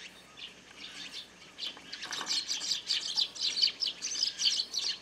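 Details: A large flock of Eurasian tree sparrows feeding noisily at a feeder on a garden grape trellis in the countryside. Dense, overlapping high chirps and tweets come in quick bursts and grow louder and busier halfway through.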